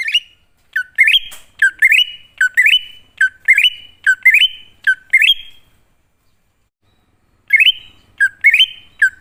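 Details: ['Wild greater green leafbird song used as a lure to draw wild or reluctant birds into answering: clear whistled phrases, each a low note sweeping up to a sustained higher whistle, repeated about once a second, then a pause before resuming.']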